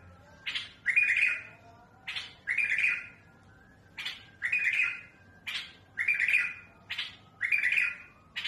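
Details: Smooth, harsh-voiced bulbul song of the mutawwa'a type, played to train young birds: a steady series of paired elements, a brief harsh note then a grating buzzy phrase with a whistled edge, repeated roughly every one and a half seconds.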